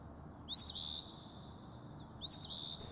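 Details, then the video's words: An Eastern Phoebe on Christmas Day at Bayou Sauvage National Wildlife Refuge, New Orleans, Louisiana, gives two high, husky phrases about two seconds apart, each a quick rising slur then a burry, buzzy note, over faint hiss. "I will never get used to hearing eastern phoebe on Christmas Day."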